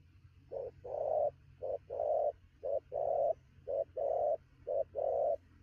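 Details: Spotted dove, wild-caught and cooing rapidly in the thổ style at midday, gives five quick paired phrases, each a clipped short hoot then a fuller sustained coo, evenly spaced about a second apart over a faint low hum.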